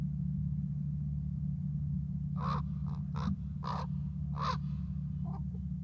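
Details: Crow, possibly a youngster, holding a conversation: about five harsh, hoarse caws in an uneven run over three seconds, then two softer shorter notes, over a steady low rumble of traffic.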